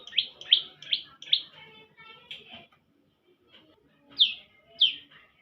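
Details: Young bar-winged prinia calling: four quick high, sharp chirps in a row, a softer note, a quiet gap with faint background sounds, then two more loud, piercing chirps.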